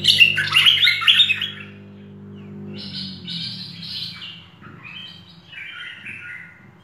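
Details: Loud tangled chirps open this merbah lekir bulbul full-fill training recording, followed by a pause and then softer descending whistled phrases repeated at intervals over a low hum.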